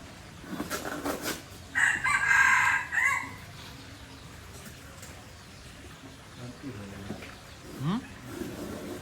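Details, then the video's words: F1 junglefowl from Aceh crowing once, a loud rough phrase of about one and a half seconds, with soft human voices and faint thumps before and after. "Ayam Hutan Aceh"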